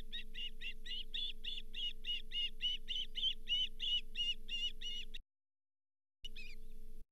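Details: Osprey at the Charlo nest on 31 July 2023, as the fifth fish of the day, a lake whitefish, is brought in: a rapid run of sharp, repeated high chirps, about three a second, breaking off after five seconds, over a steady electrical hum.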